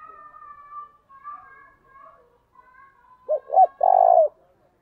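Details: Spotted dove giving its early-morning lure call, 'thổ đồng' style, after thin whistled notes from other birds: two short rounded notes and one drawn-out, vibrating low coo.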